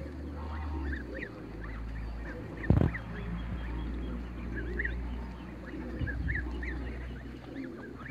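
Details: Young Toulouse geese running in a backyard, giving short, nasal honking calls repeated in quick irregular bursts throughout, over a steady low rumble, with a sharp thump just before three seconds.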